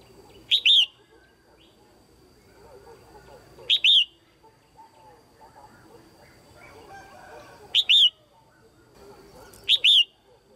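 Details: Female red-whiskered bulbul calling to stimulate males or for pairing: loud, clear, short two-part whistled call with a bright upslurred then falling note, given four times at irregular intervals over faint background chatter.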